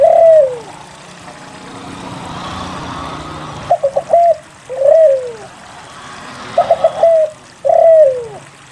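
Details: Spotted dove song played to draw other doves into singing: a long coo dropping in pitch, a hissing pause, then paired phrases of rapid stuttered notes followed by sweeping downward coos.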